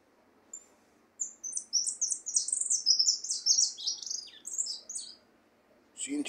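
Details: A goldfinch, a white (pale) bird still in training, sings a fast, high, twittering run of varied liquid notes and buzzy trills.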